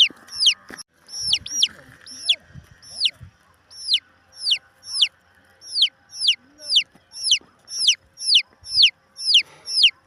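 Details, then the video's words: Chicken chick giving loud, high, downward-sweeping peeps in a steady series about two per second, some in quick doubles early on, with faint bumps and low noise behind. "chick sound"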